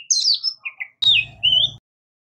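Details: Short Oriental magpie-robin phrase: a high slurred whistle, two brief lower notes, then a sharp note followed by a smooth, slightly rising whistle, with a faint low hum.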